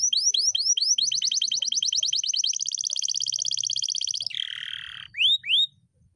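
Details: Long rolling canary song: quick rising whistled notes speed into a continuous rapid trill lasting about two seconds, drop into a lower buzzy roll, then two final rising sweeps.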